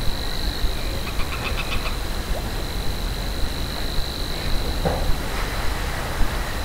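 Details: Distant Savi's warbler reeling in a bush at Minsmere in May 2017, over 200 metres off, recorded through a fieldscope: an unbroken high buzzing reel under strong low rumble, with a brief run of chirps early on.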